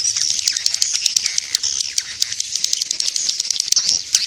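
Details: Swiftlet attraction call played to draw swiftlets: a busy stream of sharp, high twitters and chirps with scattered ticking notes, steady and unbroken.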